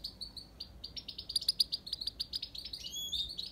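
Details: Himalayan goldfinch in fluent song, a running chain of bright, liquid high notes building in pace, with a thin rising whistle near the close.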